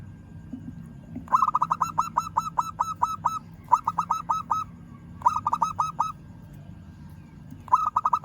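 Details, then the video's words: Local zebra dove calling a rival: four bursts of rapid, evenly spaced cooing notes, eight to ten per burst, each burst a quick rolling series separated by short pauses, over a low background hum. "Perkutut Lokal Suara Memanggil Lawan"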